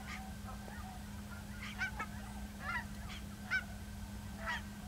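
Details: A Cackling Goose at Ridgefield, Washington, on 10 December 2012, acting oddly and possibly ill, gives short, high, yelping honks, a few spaced calls over several seconds, against a steady low hum.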